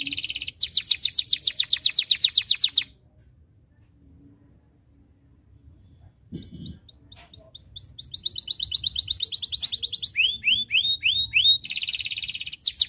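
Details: Canary singing in a long, energetic stream meant to call rivals into singing: fast repeated high trills for about three seconds, a pause, then rapid sweeping whistled notes and rolling trills, with falling slurred phrases near the end.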